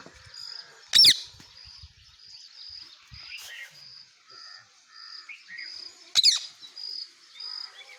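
A parrot gives three harsh, grating screeches spaced a few seconds apart, over a steady high pulsing trill and soft chirps from other birds.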